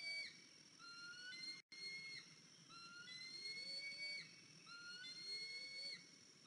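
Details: Eagle at a nest in April 2023, where a limping 103-day-old eaglet had just returned after fledging; repeated high whistles, roughly one every two seconds, mostly flat or gently rising, over a low background hum.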